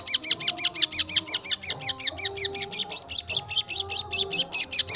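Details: Long-tailed shrike, locally pentet or cendet, singing nonstop and varying its notes: rapid chattering series of high curved chirps, slightly uneven in pace, with a low music bed behind.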